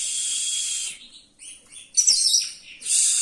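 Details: Oriental magpie-robin song intended to rile up other magpie-robins: a sustained harsh hiss with a thin whistle inside, a pause with soft notes, then a sharp chattering phrase and another loud hissing burst.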